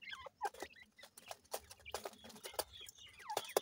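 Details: Francolin chicks (Irani teetar), still growing, giving thin high peeps, some sweeping down, scattered between loud dry clicks and knocks.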